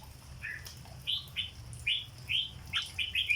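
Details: Red-whiskered bulbul from cage-bird keeping, performing 'rong dok' song. After a soft opening note, clear slurred whistles come roughly every half second and speed up into a quicker run at the end, with a faint low hum beneath.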